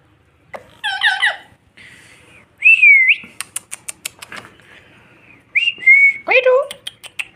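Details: Indoor pet Indian ringnecks, said to spread wings and tease each other, give a harsh stacked chatter, then two bright upslurred whistles separated by quick clicking, ending in a descending nasal call.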